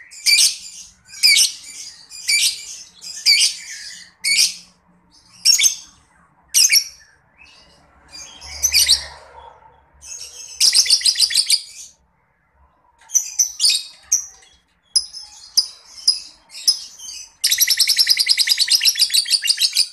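A lovebird sings in shrill, buzzy chirping bursts, then ends with a long, fast chattering trill.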